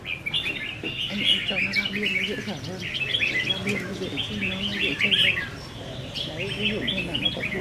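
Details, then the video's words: Practice singing duel between caged red-whiskered bulbuls, recorded 15 May 2021: quick, bubbly whistled warbles repeated in bursts throughout, several birds overlapping, while a man talks quietly in the background. "Chào Mào Đấu Giàn | Dợt Chim Chào Mào Đấu Hót"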